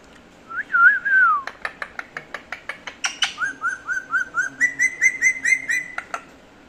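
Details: Pet parrot vocalizing as it waits for its owner to speak. A wavering whistle is followed by a run of quick dry clicks, then a series of short, evenly repeated whistled notes that step higher toward the end.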